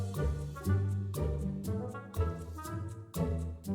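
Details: Brass-led band music with a steady rhythmic beat and swelling horn chords, no animal voice present.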